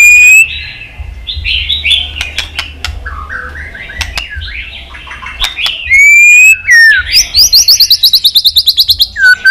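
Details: Caged white-rumped shama in Vietnam singing to stimulate pet shamas: varied warbled phrases among sharp clicks, then loud swooping whistles and a fast even high trill of about fifteen notes.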